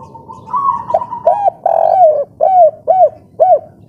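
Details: Vigorous local spotted dove in breeding condition, three-note kuk 3 style. A faint steady whistle leads into a long drawn coo, then four short arched coos spaced about half a second apart.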